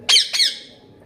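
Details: Pet parrot indoors giving two harsh, loud squawks in quick succession, each a broad noisy burst, the second trailing off into a fading raspy tail in a small quiet room.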